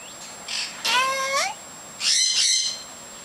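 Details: Pet lorikeets outside during cage cleaning, chattering a lot: a series of loud, shrill, nasal screeches, some sliding downward in pitch, delivered in three uneven bursts with brief pauses between, against a quiet background.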